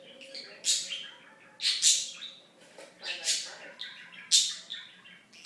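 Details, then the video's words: Pet budgerigar talking: fast, chattering mimicked phrases with raspy high bursts roughly every second, warbling notes between, indoors with no other sounds. "The Talking Budgie"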